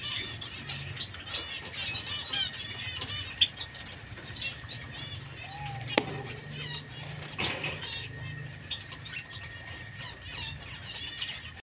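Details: White-headed munia (Lonchura maja), known locally as emprit kaji: a busy chatter of thin, high chirps and short twittering notes overlapping throughout, over a steady high hum, with a few sharp clicks and knocks.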